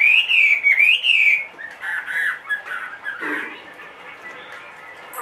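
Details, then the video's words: Chinese hwamei kept in a cage, 2.5 years old with a big build, opens with three loud, clear looping whistled phrases, then continues with softer warbled and chattering notes that fade. "HM 450 hót mọi địa hình bộ to 2,5 tuổi lồng"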